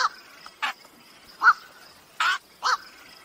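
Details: Black-crowned night heron calls played to lure birds for the 2023 night bird trapping season: short, harsh, barking croaks, about five in three seconds, unevenly spaced, with some fainter calls in between.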